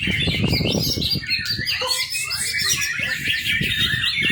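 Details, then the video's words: Young white-rumped shama delivering rich, rapid song: a varied mix of chirps, trills and short whistles pours out without pause, over low-pitched background knocking. "murai batu muda. cakep buat pancingan"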